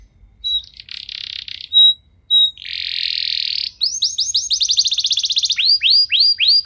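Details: Canary song played to get other canaries singing: a few sharp short whistles and buzzy bursts with pauses, then a sustained buzz, followed by a fast trill and slower repeated sweeping notes.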